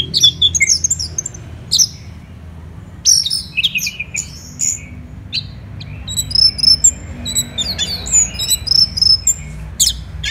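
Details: Orange-headed thrush in energetic song: varied whistled phrases and sharp chips at first, a pause, then a busy stretch of high, repeated squeaky notes and trills, over a steady low hum.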